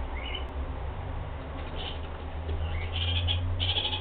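A kakariki gives short, bright chattering notes in brief bursts over a steady low rumble.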